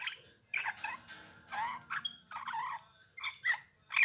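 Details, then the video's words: Eurasian bullfinch giving harsh, creaky phrases interspersed with thin whistled notes, in uneven bursts separated by brief silences. "Chant bouvreuil pivoine"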